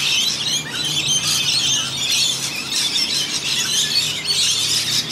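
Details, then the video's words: Rainbow lorikeets bathing in a rain gutter in Australia, part of a flock of about a hundred, keep up a constant wall of shrill, grating screeches from many birds at once. "Noisy Rainbow Lorikeets"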